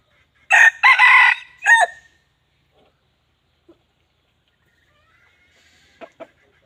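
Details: Red junglefowl crowing: a short, harsh, broken crow of several loud bursts in the first two seconds, followed by near silence and two faint, brief sounds near the end.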